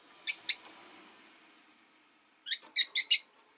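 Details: Caged Rosy-faced lovebirds, one of five pets kept by a window, give two sharp, piercing chirps, then a pause, then a quick run of four harsh, high chirps.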